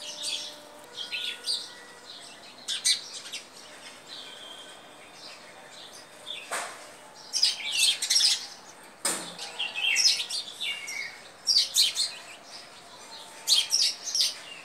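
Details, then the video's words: A pet sparrow gives bright, high chirps in quick clusters, repeated every one to two seconds, with a couple of soft fluttering thumps in between. "sparrow songs"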